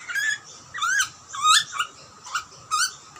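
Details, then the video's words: Butcherbird chicks in Australia scream for food as their parents feed them: harsh, rising squealing calls, about four loud bursts in three seconds, with a faint low rumble beneath. "Baby bird screaming for food ? Cute Butcherbirds chirping & feeding."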